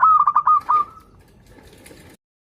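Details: One rolling, stuttered phrase from a local zebra dove used as a lure for birds learning to sing: quick pulsing coos and then a long trailing note, followed by soft background noise.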